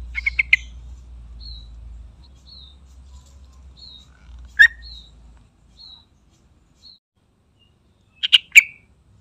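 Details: Yellow-vented bulbul (trucukan), a recording used to lure or stimulate other bulbuls to call, gives three short bursts of bubbly, chattering notes, with thin high whistles about every second between them over a faint low hum.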